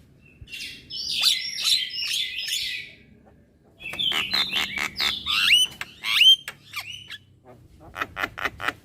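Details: Young Javan myna chattering and nodding its head: a string of five buzzy, repeated high notes, a near-silent gap, then rapid clicks mixed with rising and falling whistles. A few dry ticks close the passage.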